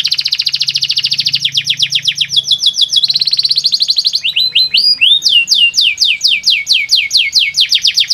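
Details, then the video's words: Canary song for stirring inactive caged canaries into song; dense fast trills and buzzy rolls, then a run of clear, evenly repeated descending whistled notes. "Sekali putar kenari yang malas bunyi langsung nyaut di jamin gacor 100%"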